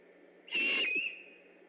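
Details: Great horned owl by an eagle nest in Decorah, night of 3 October 2015, on alert: a single strained, whistled screech with a rough, airy edge, holding level for about half a second, then fading.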